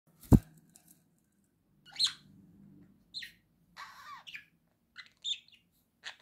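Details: Pet budgerigar giving scattered short chirps and squeaky notes between long pauses. A sharp thud comes near the start, and a low indoor hum runs underneath.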